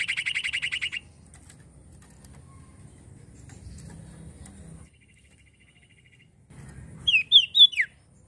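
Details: Common iora song: a loud buzzy trill held for about a second, then a quiet pause with low background rumble, ending in four quick sharp whistled notes sliding downward.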